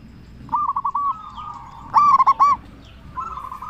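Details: Loud local zebra dove, used to draw other zebra doves into answering, gives a soft rolling coo, then a sharp burst of four clipped, ringing notes, and a fresh rolling phrase at the end.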